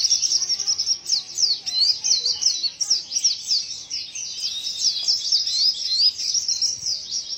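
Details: White-eye producing an unusual song, high-pitched and continuous, made of quick chirps and short slurred whistles run together in a steady, busy chatter from start to finish.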